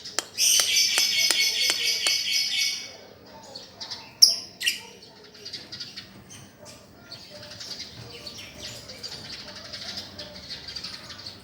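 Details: Lovebird master recording for a bird that stopped singing: a loud buzzy chattering trill over sharp rapid clicks, then quieter scattered chirps and a faint high warble.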